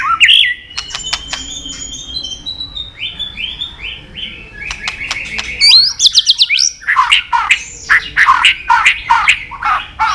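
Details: White-rumped shama in a long medley training song of varied wild-style phrases: sharp clicks, level whistles, a run of short repeated notes, then dense rapid chattering and trilled phrases.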